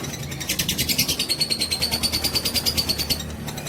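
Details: Fighter lovebird in a long ngekek trill meant to provoke rivals: quick pulsed high rattle that swells after the first half second, a fine whistled tone gliding gently upward within it, then fading near the end.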